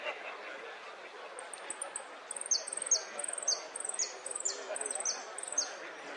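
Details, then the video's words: Saffron finch, Sicalis flaveola, repeats about eight emphatic whistles that drop sharply in pitch, roughly two per second. High buzzy trill notes are interleaved, over a quiet background hiss. "JILGUERO AUDIO"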